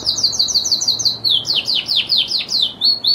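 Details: Lizard canary singing a rapid high trill that gives way to louder, slower downward-sweeping notes and ends with short whistles.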